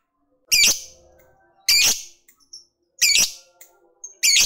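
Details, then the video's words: Lovebird of the fighter type, kept by bird hobbyists, singing to provoke a rival male into calling back; loud harsh squawks with a bright high rasp, repeated about every 1.2 seconds, with faint chirps between bursts. "Ketikan Labet ini Merangsang Lovebird Fighter Cepat Narik Ngekek"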